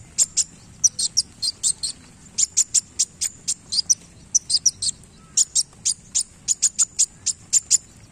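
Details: Kolibri wulung sunbird singing actively while moving its tail: a steady run of sharp, very high ticking chips, mostly in pairs and triplets, repeated several times a second for eight seconds.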